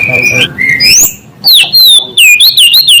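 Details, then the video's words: White-rumped shama song meant to provoke rival shamas: clear whistled notes sliding up and down, then loud wavering high whistles in quick succession, over faint low background noise. "Suara asli murai membuat murai lain langsung emosi"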